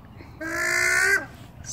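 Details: A red-eyed White-winged Chough gives a single drawn-out, nasal, slightly reedy call that holds steady then drops away, while a woman nearby speaks, trying to befriend the flock.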